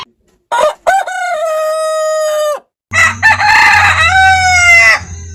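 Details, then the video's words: Two rooster crows from a compilation of heritage breed roosters, each a loud harmonic call opening with short notes and ending in a long steady drawn-out tone, with a low hum beneath the second. "Chicken Crowing Ayam Berkokok Con Gà Gáy"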